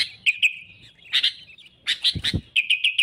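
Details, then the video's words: Sooty-headed bulbul song used as a lure for trapping rivals: lively bubbling whistled phrases with rapid chattering bursts, busy and loud, plus a couple of low thumps. "suara kutilang gacor cari musuh"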